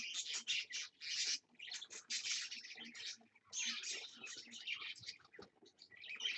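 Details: A parakeet and two babies at 6 am on a Wednesday, giving continuous high chattering chirps in rapid clusters, with brief quieter gaps between bursts.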